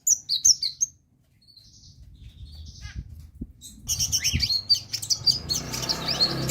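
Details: Sunbird's lively song for prompting other birds to sing: high chirps, a short pause with thin whistled notes, then a dense rush of twittering and slurred chips over rising background rumble.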